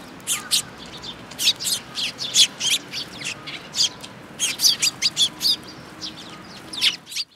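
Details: Sparrows flocking to a feeding spot on a shrine bridge railing (Tenmangu), June 9, 2022, give a lively run of bright, clipped chirps, several in quick succession, with brief pauses between bursts.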